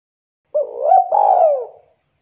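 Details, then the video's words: Spotted dove calling, with other doves answering. A single soft phrase: a short coo slides into a longer, fuller note that slowly falls away, low and mellow, on a silent background. "Suara burung tekukur deruk derkuku Gacor memanggil TEMAN Ikutan NYAUT Bunyi"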